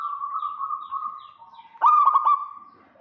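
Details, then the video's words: Local zebra dove (perkutut) in full voice, calling to lure a rival, with males and females answering each other. A steady, slightly wavering purr leads into a sudden loud burst of three or four clipped, stuttered coo notes that trail off. "Perkutut lokal GACOR KEROT MANCING LAWAN"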